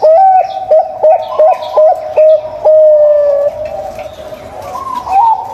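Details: Zebra dove, a local bird, singing as a lure to start a reluctant zebra dove singing: about seven clipped, pulsing coos in quick succession, then a long steady coo and a rising final phrase. Light chirping from other birds.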